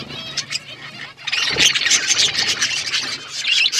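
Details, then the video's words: A budgerigar flock in an outdoor aviary chatters loudly, a dense run of quick, harsh chirps and high squeaks after a quieter opening second. "Budgies flocks in outdoor aviary budgies colour budgies chirping sounds"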